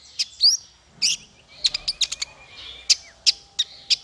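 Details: Bird song for training small fighter birds. Scattered sharp, high chirps and brief slurred whistles, spaced irregularly with short gaps between notes.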